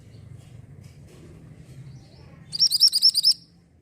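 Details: Singing mantenan orange bird, recorded as a model song for white-rumped shamas: after low background hum, a sudden string of about eight sharp, high, evenly spaced chirps.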